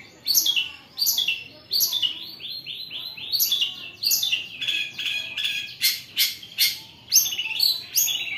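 A Long-tailed Shrike sings a loud, harsh chattering song of rasping and scratchy notes, with sharp bursts about once a second and some rapid twittered runs.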